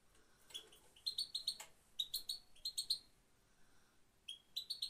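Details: Female European goldfinch giving her only call, a thin high 'peet peet', as short sharp chirps in quick groups of three to five, pausing between groups; quiet background.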